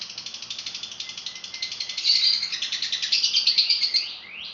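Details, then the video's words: Lovebird in full song: a long, high-pitched, continuous chatter of rapid buzzy pulses, repeated several times a second and swelling in loudness midway. "kicau memukau love bird gacor full isian"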